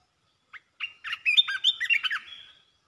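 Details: Red-whiskered bulbul pouring out rapid 'poet dok' song. A single lead note is followed by a fast, rollicking string of bright, slurred whistles lasting about two seconds, tapering to a soft trailing sound.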